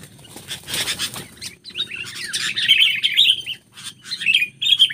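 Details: Sooty-headed bulbul facing a wild bulbul, delivering a run of rapid, warbling whistled phrases that rise and fall, bubbling on for several seconds after an opening burst of rustling.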